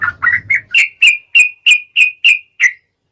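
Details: Long 'ropel' song of a yellow-vented bulbul, used as a lure for other bulbuls: a few low gurgling notes lead into a steady series of about eight clear, bright whistled notes, evenly spaced at roughly three per second.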